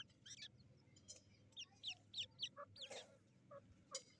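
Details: Black francolin chicks in a fight on 18 July 2024: a series of sharp, high downslurred chirps, several in quick succession, plus a few harsh bursts, over a low rumbling background.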